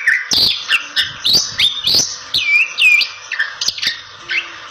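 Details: A Bali myna in full song, a recording meant to lure other Bali mynas, gives a lively, varied run of clear rising whistles mixed with harsh chattering and squeaky notes, about one phrase a second.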